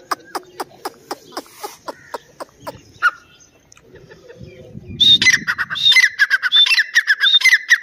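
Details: Grey francolin of the Dakni or Irani sort: a series of dry ticking clicks, a pause with low noise, then loud ringing whistled phrases with harsh grating notes in quick succession.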